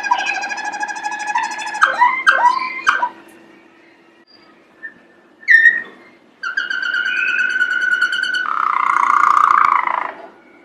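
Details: Yellow lemon-coloured canary singing loudly: rapid rich trills and rolling phrases, then a pause, a brief sharp burst, and a long sustained buzzy warbling trill near the end, with a low steady hum underneath.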